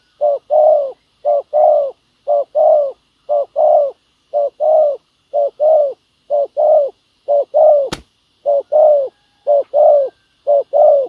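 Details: Decoy spotted dove set on the ground to lure wild doves, cooing in a foreign-style song: steady paired notes, short then long, repeated roughly every second, one sharp click partway through.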